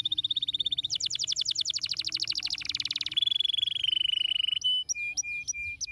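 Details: Canary song played to stimulate lazy canaries: a steady whistled tone breaking into a fast rattling trill, then a buzzy roll and a set of separate upswept whistled notes.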